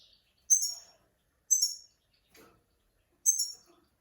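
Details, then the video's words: Master goldfinch song phrases for tutoring young goldfinches and mules: short, bright, high tinkling notes in three separate bursts, each fading quickly, with a faint lower rustle between. "Master switty bird 2021 ! Great for teaching mules and young goldfinches !!"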